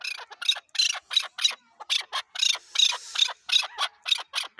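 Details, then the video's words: Chakor, the chukar partridge of Pakistan, calling in a steady series of rough, broad chuck notes repeated about three times a second, each note bright and raspy, with no other clear sounds. "chakor ki awaz zark awaz chakor voice chakor.sound"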